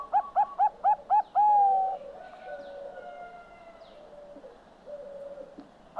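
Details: Zebra dove of the Bangkok type (perkutut Bangkok) singing. Six short rising coos come in quick succession, then a long, level, mellow note. Quieter, lower cooing continues in the background afterwards.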